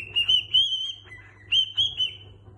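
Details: Cockatiel (Nymphicus hollandicus) whistling a learned song in clear, high notes that hold, dip and rise again, in phrases about a second long, over a faint low hum.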